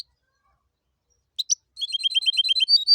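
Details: Hybrid goldfinch-canary in tibetano and tuitero song style gives two sharp chirps, then a fast even trill of high repeated notes, about six per second, in an otherwise quiet setting.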